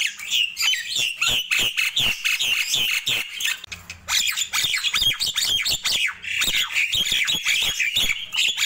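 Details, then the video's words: In the morning a Nias hill myna pours out an unbroken stream of lively chatter, with short whistles, rasping squawks and quick notes that follow each other rapidly throughout. "Ramainya Kicau Jalak Nias di Pagi Hari"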